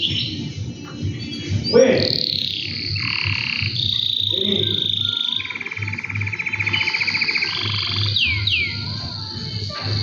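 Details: Caged two-year-old male canary singing when its owner approaches; varied phrases of fast buzzy trills, upward and downward sweeping whistles and held notes, over a steady low hum.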